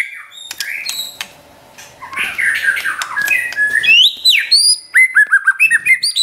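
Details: White-rumped shama song used to stir up and train a pet bird: harsh scratchy chatter building into loud clear whistles, closing with rapid repeated downslurred notes.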